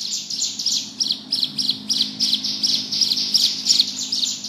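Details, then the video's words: Bar-winged prinia, called ciblek gunung, in ngebrem song: short bursts of high, scratchy chirps repeated about three times a second in an uneven, chattering rhythm. "Burung ciblek gunung gacor ngebrem"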